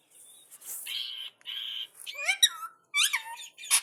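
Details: Indian ringneck parakeet answering another parrot with talking sounds: a hissy breathy note, two steady buzzy tones, then bright rising and falling whistled squeaks in two quick clusters.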